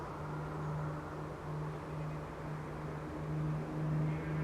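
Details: Steady low engine or vehicle rumble with a constant hum and no animal voices.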